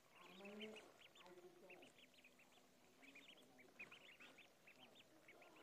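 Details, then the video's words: Duckling in a pond, giving quick, high, thin peeps in dense runs throughout, with lower, harsher quacking notes in the first two seconds. "Duck Sound duckling in the pond -duck quack"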